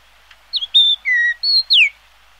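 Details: Yellow-billed Grosbeak, also called 小桑鳲 or black-tailed grosbeak, gives a quick phrase of five clear whistled notes in under two seconds: a wavering start, level notes, then a sharply falling slurred note, against a quiet background.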